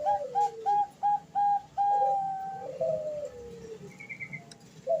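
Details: Female zebra dove of the Bangkok type calling for a male, used to coax males into answering: several short rhythmic coos, a longer held note, then softer falling notes, with a distant high chirp.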